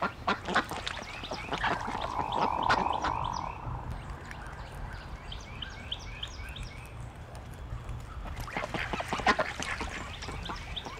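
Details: A male Hooded merganser growling during head-back display. The audio was replaced with sound effects, so it may not match the bird. Rough, croaking growls come in quick bursts, with one drawn-out buzzy note, over a low hum.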